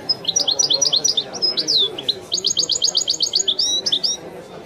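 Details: Widani-style song of a European goldfinch: lively high chirping phrases, a slurred downward whistle, then an evenly spaced series of bright repeated notes and a closing rattle.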